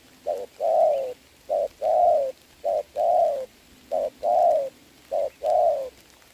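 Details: Spotted dove cooing in the rain during a decoy-versus-wild-bird trapping match, 26 November 2022; four regular coo phrases, each a brief note followed by a longer, slightly falling hoot.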